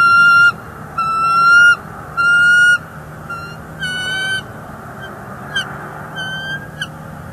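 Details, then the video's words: Bald eagles at a northeast Florida nest, 30 January 2024, an intruder perched near the nesting female, who calls her displeasure: several long sustained high piped notes with strong harmonics, then softer, shorter, fading notes and faint chips. "Bald eagles; intruder with Gabby all morning"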